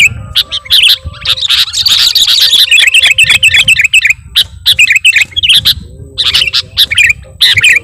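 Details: Sooty-headed bulbul lure song packed with borrowed phrases from other birds, sung nonstop: a dense, loud, overdriven jumble of sharp chirps, quick trills and high whistled notes, with a low rumble underneath throughout.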